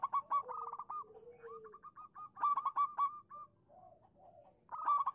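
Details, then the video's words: Local zebra dove calling to stir silent doves into song: repeated loud bursts of fast staccato whistled coos every two to three seconds, linked by softer note chains and lower drawn-out coos from a second dove. "suara burung perkutut lokal manggung pancingan cepat nyaut untuk perkutut macet bunyi"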